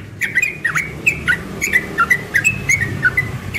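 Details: A young yellow-vented bulbul delivers its morning ropel song, a quick, bouncy string of short whistled and slurred notes, roughly three per second, some rising, some dipping, over faint background noise.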